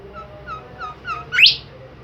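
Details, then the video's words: An active Bimoli bird gives four short slurred notes in quick sequence, then a loud, sharp rising sweep, over a soft low background hum. "super jos burung Bimoli gacor"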